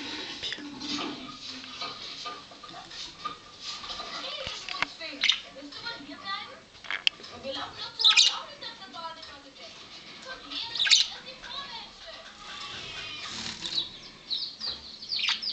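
A budgerigar chatters in a fast, scratchy warble of high chirps and squeaks.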